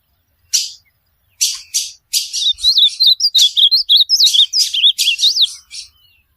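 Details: Ultramarine grosbeak song for a pet bird to learn: a few short buzzy notes, then a rapid run of clear, looping whistled phrases that rise and fall, delivered in a quick continuous stream over a quiet background.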